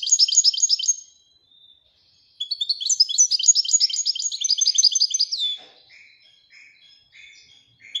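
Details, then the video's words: Singing royal goldfinch: a short burst of bright twitters, a second of silence, then a long rapid tinkling phrase ending in soft scattered chirps. "Le twitter et chardonneret royalتغريد طائر الحسون الملكي"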